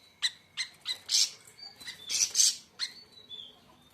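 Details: Siri siri raja, or siri siri besar, singing a run of sharp high chirps and short whistled notes in irregular succession, some strong bursts near the middle.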